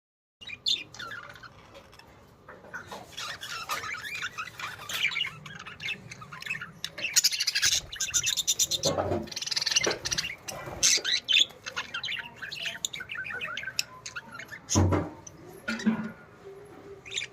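Budgerigars chatter busily, with rapid warbling chirps and scratchy squawks overlapping.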